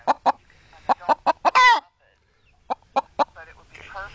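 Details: A chicken talks back to a woman: a run of brisk, punchy clucks, then a drawn-out, raspy squawk, a short pause, and more clucks alongside her soft speaking voice.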